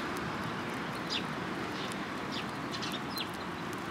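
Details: Sparrows at a Tenmangu shrine on 14 April 2022: several brief, sharp high chirps spaced irregularly over a few seconds above a loud, steady broadband background noise.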